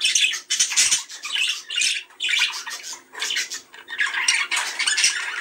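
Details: Budgerigars in steady chatter meant to stimulate breeding: continuous harsh, scratchy warbling rising and falling in waves about every second, with no quiet breaks.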